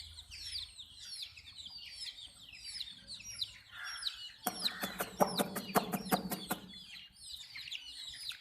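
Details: Several baby chicks while drinking water peep continuously in thin, high, down-slurred notes; midway a quick run of loud tapping clicks cuts across before the peeping resumes.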